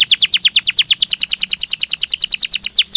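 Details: Belgian canary singing naturally: a fast, even trill of sharp, high, downward-sweeping notes, about three per second-fraction, repeated steadily through the whole stretch with no other sounds.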